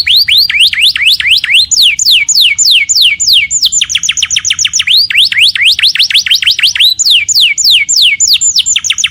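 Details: Home-kept canary in full, lively song: rapid high notes sweeping downward, repeated several times a second in bright cascading runs, changing pace midway.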